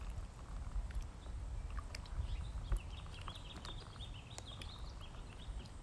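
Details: Ducklings at feeding time, a run of high, quick peeps strung together over the second half, joined by scattered clicks of pecking and a constant low background hum.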